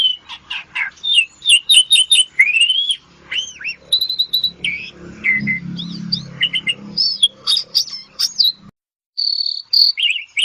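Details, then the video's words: Asian pied starling singing ngetop, offered for therapy: quick loud chips and rising whistles, then jumbled chatter over a low rumbling background, a short silent gap, and high repeated whistles. "Kicau super jalak suren ampuh untuk terapi"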